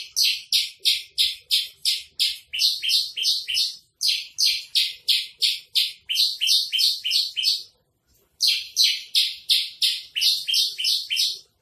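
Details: Javan bush lark singing trotol-style tutor song: rapid, even bursts of harsh, buzzy chirps, about three per second, in long runs broken by two brief pauses.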